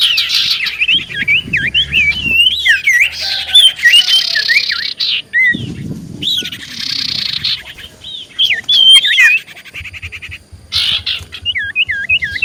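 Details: Common iora singing persistently as a lure to provoke replies from other ioras: wavering whistled phrases and buzzy trilled rattles, rapid and irregular, with short gaps and faint low rustling noise.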